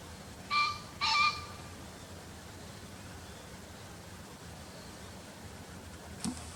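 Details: Green pheasant call sourced from a bird guide: a short harsh note, then a longer one right after, both rich in overtones, followed by several seconds of low hiss and one brief click.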